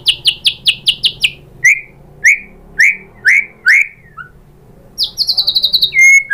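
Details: White-rumped shama singing as a lure for other birds: a quick string of short high whistles, then five loud rising-falling whistled notes spaced evenly, ending with a fast high trill and a clear whistle.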